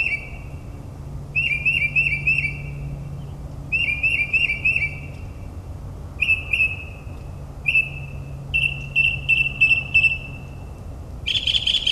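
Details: Night-singing northern mockingbird in suburban New Jersey mimicking other species, delivering phrases of fast trilled whistles separated by short pauses, then rapid repeated notes and a final harsh burst, over faint low hum.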